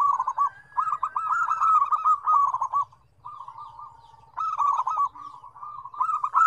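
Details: Busy zebra dove singing, a combination of five birds' songs in different tones: long runs of fast, bubbling coos, one brief gap near the middle, then overlapping rolling phrases resume.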